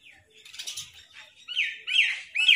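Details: Angry black crows in a large flock attacking food, giving loud, harsh, raspy caws in quick bursts that grow stronger toward the end, with fluttering sounds early on.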